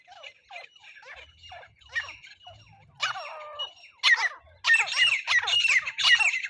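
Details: Francolin calls used as a hunting lure to trap francolins with a net: harsh, squawking notes start faint and sparse, then grow louder and denser, repeating rapidly in rough bursts near the end.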